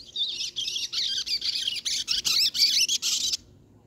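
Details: A nearly two-month-old chestnut-bellied seed finch chick learning to sing: a fast, scratchy run of warbled notes, about three per second, high and buzzy, stopping abruptly after three seconds.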